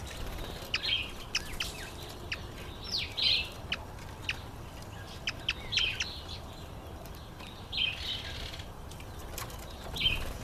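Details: Red-collared widowbird in breeding season: brief sizzling, buzzy notes spaced a second or two apart over faint ticking sounds, with a quiet open-country background.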